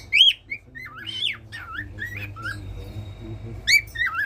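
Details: Singing pet cockatiel, heard daily, gives bright rising whistles and wavering slurred notes over a low buzzing background, ending with renewed loud whistled phrases.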